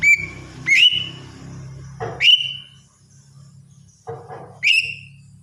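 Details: Morning singing of a lesser green leafbird: four whistled notes with sharp upswept beginnings and drawn-out flat tails, interrupted by short noisy bursts, over a constant low hum.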